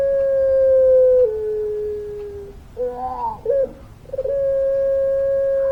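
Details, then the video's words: Chatty puter pelung dove singing long: a held coo that sinks to a lower drawn tone, a burst of wobbling, cracked notes, then a fresh steady hooting note sustained to the end. "Puter Pelung Gacor Suara Panjang, Manggungnya Bikin Adem"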